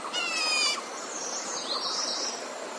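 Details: Red-whiskered bulbul serving as a trapping decoy gives a single grating, buzzy note of about half a second, followed by soft, high, twisting whistled notes against a hissy background.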